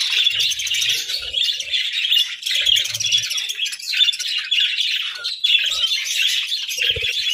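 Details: Continuous chatter of pet parakeets greeting the day, a steady wall of high twittering and warbled chirps with occasional brief low thuds.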